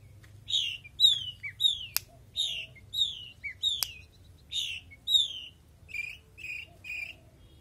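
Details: A Long-tailed shrike, a promising contest bird, sings a lively run of sharp, slurred chirps about twice a second, ending in a few harsher buzzy notes, with two sharp clicks.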